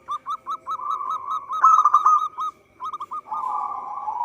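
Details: Local zebra dove singing energetically, kept as a lure for trapping: rapid clipped coo notes run into a purring trill that peaks loudly, then a short pause, a few quick notes, and a long steady roll.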